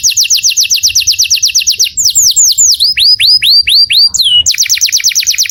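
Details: Saffron finch calling its friend: a rapid run of bright upslurred chips, then slower looping slurred whistles dropping and rising, followed by another fast chip series; soft low background hum.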